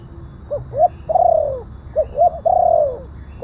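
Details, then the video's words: Spotted dove lure call for drawing wild doves down and for training caged birds: short rising coos then a long, drawn-out descending coo, repeated twice, over a steady high whine and low rumble. "Suara pemanggil burung tekukur kuk 1 penguku suara besar"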